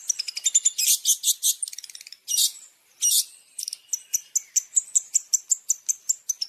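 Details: Long-tailed shrike masteran, a tutoring recording of champion song fill (isian) for caged birds: high buzzy bursts and rattling trills, then a steady run of sharp chirps repeated about three times a second.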